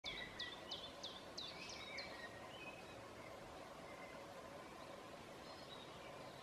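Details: A common chiffchaff sings on a hill at midsummer in Southern Savonia, Finland: a quick run of sharp, high, dropping notes, about three a second, trailing off after two seconds, over a steady wind-like rush.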